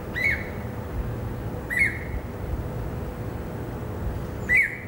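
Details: Greater Racket-tailed Drongo in a herb garden on a Saturday afternoon, 16 December 2017, gives three short, harsh, nasal notes spaced a second or more apart, over a steady low rumble and faint hum.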